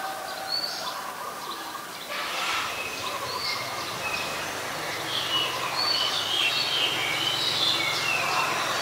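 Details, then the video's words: Oriental magpie-robin singing in Ubon Ratchathani, Thailand, on 17 November 2021, recorded with a Nikon P1000: a dense, overlapping tangle of varied high whistled notes and short phrases over steady background noise. "นกกางเขนบ้าน Oriental Magpie Robin (singing)"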